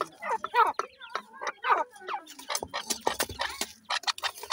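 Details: Francolin pair, locally called dakhni teetar, with their chicks during feeding: rapid clucking and squeaky chatter in uneven bursts, about one a second, with clicks and rustles between.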